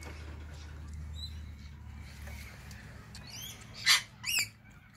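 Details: Feeding on seed at a balcony, cockatoos utter two quick harsh screeches in succession near the end, after faint scratchy calls and a low background rumble.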